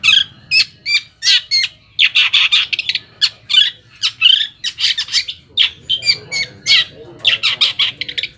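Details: Long-tailed shrike song meant to get other shrikes answering: clusters of harsh, buzzy chatter notes and squeaks in quick bursts, separated by short pauses.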